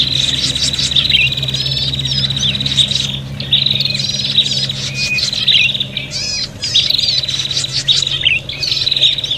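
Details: Agitated prinia calls used to lure birds: repeated bursts of high buzzy trilling with chattering, warbled chirps overlapping, pausing briefly between bursts, above a faint low hum.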